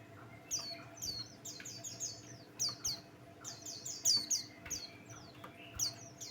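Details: Buxtoni white-eye singing to set off other birds: clusters of very high, sharp downward-sweeping whistled notes in lively irregular runs, some louder bursts, over a faint low electrical hum.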